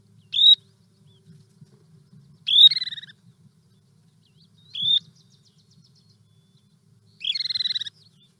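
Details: Least sandpiper, the smallest sandpiper and a winter bird in the valley, giving four high, thin, rising 'kreeet' calls, some trilled and burry, spaced about two seconds apart over a faint low hum.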